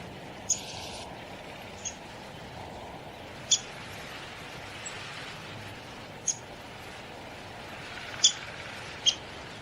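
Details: Downy woodpecker giving sharp, short, high 'pik' notes spaced irregularly, about seven across ten seconds, over a faint background hiss.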